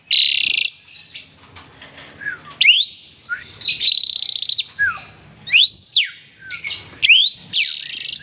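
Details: Asian pied starling in full, lively song while bobbing its head: loud rising-and-falling whistled arcs alternate with grating buzzy rasps and short slurred notes, with brief quiet gaps between phrases.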